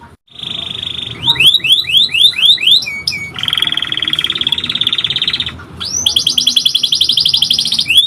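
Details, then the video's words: Canary masteran song, long and energetic: a string of six quick down-slurred whistles, a lower rolling trill, then a bright high rapid trill. "MASTERAN PANCINGAN KENARI GACOR PANJANG | CANARY SINGING"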